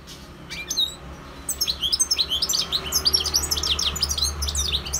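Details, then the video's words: Goldfinch song: after a few scattered high chirps, a fast tumbling stream of tinkling, twittering notes and buzzy trills runs on continuously, with a low hum beneath. "GOLDFINCH SINGING 1H Chant Chardonneret اسمع واستمتع صوت الحسون البري Jilguero Campero"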